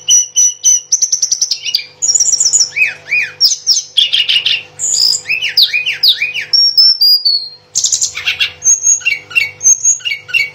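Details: Lively song of a mangrove blue flycatcher: a quick series of sharp chips, then chirruping phrases and clear whistles that fall and rise, almost without pause, with a faint steady hum underneath.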